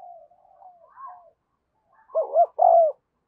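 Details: Spotted dove kept as a decoy to call wild doves. Soft, quiet murmuring notes lead into a loud phrase: a quick double coo, then one long mellow coo.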